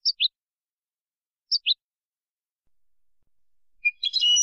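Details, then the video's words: European goldfinch singing copia Malaga style in a 2020 tutoring recording for young birds: two quick paired high notes repeated 1.5 seconds apart, then faint hiss and a dense twittering burst. "تغريد حسون كوبيا مالقا لتلقين الفراخ ©chant copia malaga chardonneret"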